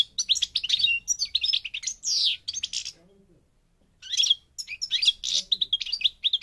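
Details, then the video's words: European goldfinch, parva form from Morocco, North Africa, pouring out a long rapid twitter with a sliding downward note, pausing about a second, then resuming fast, tinkling song. "The Goldfinch's Song North Africa - Parva Morocco Bird Song"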